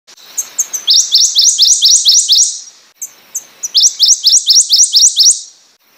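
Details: Prothonotary warbler (Protonotaria citrea) song: two loud bursts of about eight to ten ringing, upslurred sweet notes repeated rapidly on one pitch, with faint higher chips from another bird between and before phrases.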